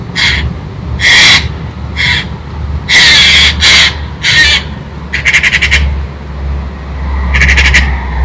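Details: A Eurasian jay, a daily visitor for grapes, screeches at a squirrel on 16 November: harsh, rasping screeches in bursts of about half a second, some broken into rapid rattles, over a low steady rumble.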